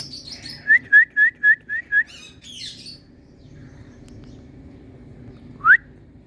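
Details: Pet Indian ringneck parrot, happy mood: a run of six evenly spaced short whistled notes about four per second, a buzzy squawk, then after a pause one sharp rising whistle; faint room hum.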